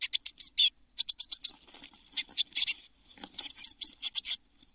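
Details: Eurasian blue tit chicks in a nest box before fledging, June 2022: irregular scratchy high chirps in loose clusters, with some thin whistled notes and faint rustling between calls.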